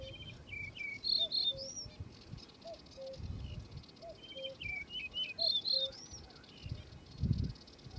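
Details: Male yellow-breasted bunting in song: a high whistled phrase of slurred notes and a few quick lower trills, given about every two seconds. A distant bird adds soft low notes, and faint rumbling runs beneath.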